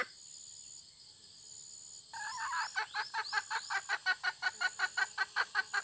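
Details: Hen calling: after two quiet seconds, a rapid series of short harmonic clucks starts, about three per second, with a few rising upswept notes at first, over a steady high insect drone.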